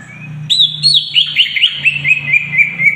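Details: Greater green leafbird in full song, used as a tutor recording, giving a rich, rapid warble of high slurred whistles and chattering notes, tumbling continuously over three seconds; a faint low hum underneath.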